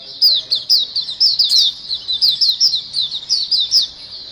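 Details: Busy group of white-eyes calling as a lure: quick, high, downward-slurred chirps repeated several times a second, with small gaps between clusters.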